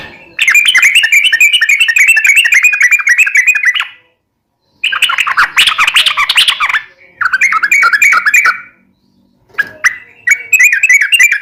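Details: Yellow-vented bulbul in full voice, used as a lure to make captive birds answer: loud bursts of rapid, chattering, warbled notes lasting several seconds each, separated by short silences.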